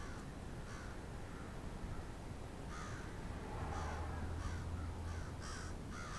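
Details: Crows in a large flock in Moncton, New Brunswick: scattered harsh caws in quick groups over a low steady rumble that swells in the middle.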